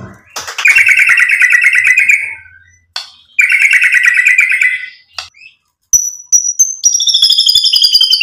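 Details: Provoking song of a white-rumped shama: two long buzzy rattling trills, then a series of pure high whistled tones held steady after a short silence.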